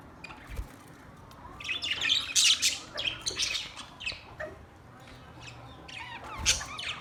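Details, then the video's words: Australian parrot with a cluster of harsh, rasping squawks in the middle, softer scattered calls after, and one more shrill burst near the end. "Beautiful parrot sounds"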